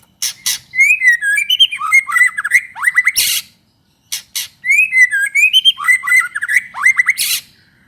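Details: White-rumped shama, a 'gacor' murai batu used to lure other shamas into song, delivers a rich varied phrase of slurred whistles and harsh rasping bursts, repeated twice with a short silence between.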